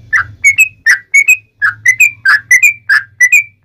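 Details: Loud sooty-headed bulbul singing, used as a training recording to draw other bulbuls into song: short whistled notes in quick pairs and triplets, repeated steadily over a faint low hum.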